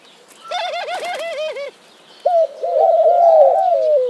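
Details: Mourning dove audio opening with a rapid string of bouncing, looping low notes. After a short pause comes a brief coo, then one long, drawn-out coo that swells and slowly descends.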